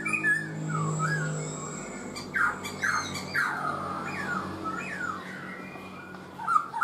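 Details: Black-throated laughingthrush in a cage for four months, uttering a series of downward-slurred whistles spaced about half a second apart, with a few softer rising notes at the start and end, indoors.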